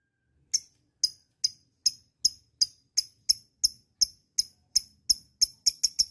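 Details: Lovebird 'ngekek' chatter, meant to encourage other lovebirds to sing: spaced, bright, ticking chips that start slowly, come about twice a second, and speed up toward the end.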